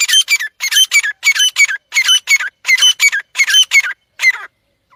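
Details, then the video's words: A pair of partridges (teetar) calling: loud, harsh, squeaky notes given in quick paired bursts, about fourteen notes over four seconds, then falling silent. No other clear sounds. "joddi teetar avaaz"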